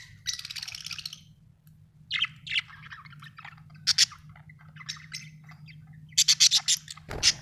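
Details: Australian budgerigars chirping: bursts of scratchy, warbling chatter and quick high chirps in uneven runs, with a steady low electrical hum underneath and a thump at the end.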